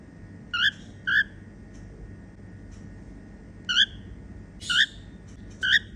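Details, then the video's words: Female cockatiel making happy sounds: short rising whistled chirps, single or paired, spaced irregularly about a second or more apart, over a steady low hum. "Female cockatiel singing & making happy sounds."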